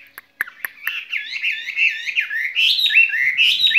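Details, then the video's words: A caged skylark sings its spring love song. A few scattered clicks lead into a fluid, warbling stream of wavering notes that grows louder and climbs higher toward the end. "lồng son ca bản tình ca mùa xuân"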